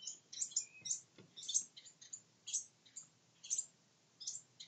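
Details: Wren chicks in a nest built inside a honeybee box give thin, very high chirps in quick clustered bursts, about one burst a second, over a faint low background hum.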